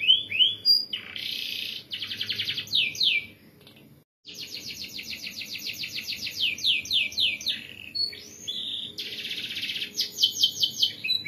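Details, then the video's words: Rolling canary song in the ngerol rapat style, used as a master recording for training birds: long rapid trilled rolls and clipped descending notes, with a short silent gap before the rolls resume strongly. "MASTERAN BURUNG KENARI GACOR NGEROLL RAPAT"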